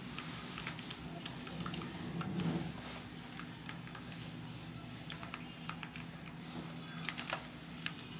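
Quick clicking and tapping like typing, with a low steady hum indoors and no animal voices.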